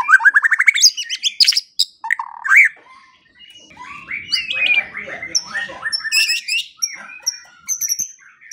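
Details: White-rumped shama for morning and evening songbird training: a fast rising rattle of clicks opens, followed by harsh squawking notes, a quieter warbled passage, and high thin whistles with scratchy bursts.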